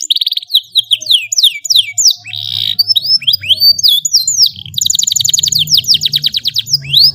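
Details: A canary sings a long melodious training song for young birds, with swooping whistled notes, a buzzy rattle, then a fast even trill of repeated chirps.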